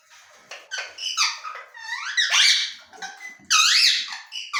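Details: Pet ring-necked parakeet indoors in a small room, giving a run of harsh, squeaky chattering notes, some rising and falling in sweeping glides, with a loud burst of screechy calls near the end.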